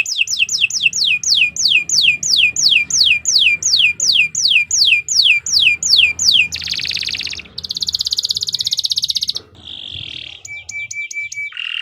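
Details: Canary giving long, nonstop 'gacor' song, used for training other birds: loud downward-swept notes repeated about three per second, then buzzy rolls and a few short clear whistles.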